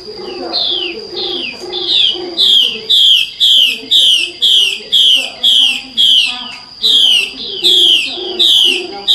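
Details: Wild female hwamei in a forest calling in the breeding season to lure males into song; loud, repeated, downslurred whistled notes, about two per second, over a steady high whine.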